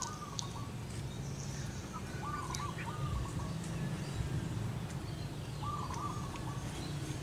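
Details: Female local zebra dove cooing to summon its mate: soft, broken trilled phrases, two close together mid-recording and another near the end, partly buried under strong low-frequency rumble, with scattered high bird chirps and clicks.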